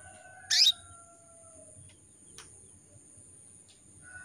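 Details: Female canary in breeding condition calling males: one short, bright, falling chirp at the start, followed by faint clicks and a thin steady high tone.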